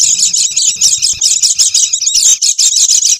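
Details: Oriental white-eye in busy, noisy chatter used to lure wild birds: dense, rapid, high-pitched twittering chirps pouring out almost without pause in short bursts, with a faint low rumble underneath.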